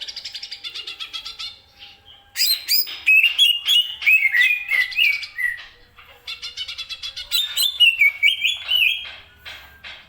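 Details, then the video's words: Greater green leafbird singing energetically, quick ticking notes leading into long runs of slurred whistles and harsh chatters, each phrase dropping in pitch, two main bursts with a short gap between. "CUCAK IJO BUNYI SUPER HEBAT"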